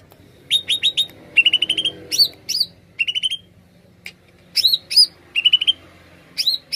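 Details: Energetic greater green leafbird song used to lure wild birds, with fast runs of three to six piping notes, upward-swooping whistles and brief gaps between phrases in a steady, lively flow.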